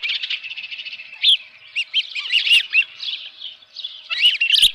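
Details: Osprey at the nest holding a live fish, 7:32 AM on 24 June 2018: continuous high whistled chirps rising into louder piercing peaks, with a brief knock near the end.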